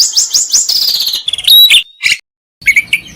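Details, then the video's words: Kacer (Oriental magpie-robin) masteran with isian and tembakan: a quick series of rising whistled notes, then buzzy trills and a pure sustained whistle, a short silence and a final burst of chirps. "Masteran Mewah Burung Kacer Full Isian Dan Tembakan"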